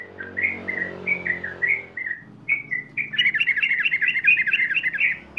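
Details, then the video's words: Ropel-style song of a sooty-headed bulbul, used as tutor and lure sound for untrained birds: a string of bright slurred whistles, then from midway a dense, fast tumbling run of notes, with a low background hum. "pancingan dan masteran trucukan ngeropel /Ropel durasi panjang"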